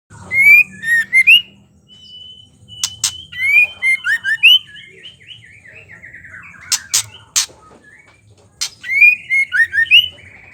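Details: Female white-rumped shama giving ketrekan, a chattering call said to spur males into singing: bursts of quick rising chirps and whistles mixed with sharp loud clicks, then a quieter gap before another run of chirps.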